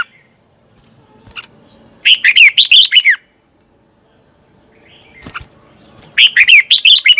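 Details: Red-whiskered bulbul twisting-voice song meant to spur other birds into singing. Two quick bursts of looping, warbled whistles about four seconds apart, with soft distant chirps in between.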